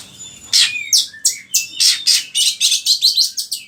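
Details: Kacer, the oriental magpie-robin, in lure song for training caged birds: a fast series of loud, harsh chattering notes, about three per second, with a few thin whistled slides between.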